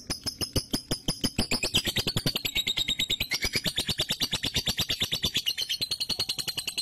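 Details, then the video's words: Lovebird trill used as a prompt recording for a lazy lovebird that will not sing its 'ngunci' song: a long, steady run of rapid buzzy chattering pulses, about three per second, rising slightly in pitch partway through. "PANCINGAN LOVEBIRD MALAS NGUNCI"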